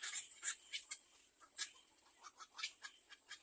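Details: Hungry little egret chick pestering its mother for food, giving sharp rasping squawks about three or four per second, uneven in loudness, with short gaps between.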